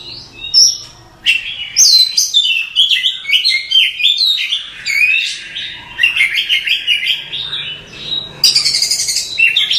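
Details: Masteran song of an Oriental magpie-robin, used to train caged songbirds: a long, dense run of rapid warbled and whistled notes, with fast chattering trills and a harsh, bright burst near the end.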